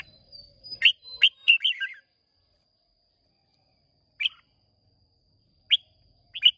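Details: Red-whiskered bulbul, a caged contest singer of Hòa Bình stock, Vietnam, 30 May 2023: a rapid run of bright, warbling whistled notes, then three isolated sharp chirps spaced over several seconds, with a thin steady high tone behind.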